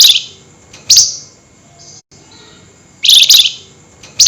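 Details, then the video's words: Loud nyerecet chatter from a flameback at night, in high excitement: harsh, high, rasping bursts at the start, after one second and around three seconds, the last a rapid stuttering run, with a brief dropout in between. "Tembakan Burung FLAMBOYAN GACOR Nyerecet Emosi Tinggi DiMalam Hari"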